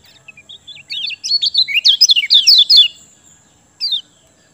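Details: Lemon-bellied white-eye (kecial kuning) singing, kept as a lure to restart lazy birds' song: short high notes, then a tumbling two-second series of sharp, slurred chirps, ending with one isolated descending note.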